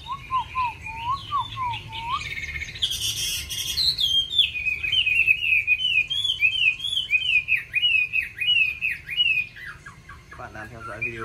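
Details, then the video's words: Chinese hwamei, a kept songbird, singing quickly with many wild-style voices: low rising whistles repeated in a short run, then a long, varied warble of loud, slurred phrases climbing and falling in pitch, with a burst of harsh noise between. "Mi hót hay đẹp cb8864c nhiều giọng rừng hay mau mỏ"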